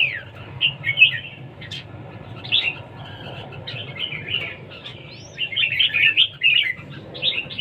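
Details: Red-whiskered bulbul in competition singing, pouring out rapid chirpy, warbling phrases with a sharp click and a rising whistle, quieter in the middle, then a dense, energetic run near the end.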